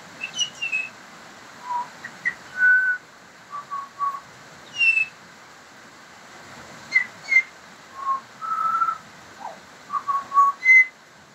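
A pied butcherbird sings rich, flute-like whistled notes, some sliding up or down, in short phrases with brief pauses, over a faint background hiss.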